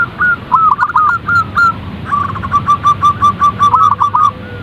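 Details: Zebra dove, local name perkutut, voicing lure calls: a few looping hooked notes, then a rapid even series of short coos ending in drooping notes, with a faint low tone near the end.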